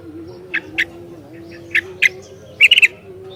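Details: Sooty-headed bulbul calling to provoke other bulbuls: a few scattered short, soft notes, then a louder burst of rapid chattering notes at the end, over a low continuous hum.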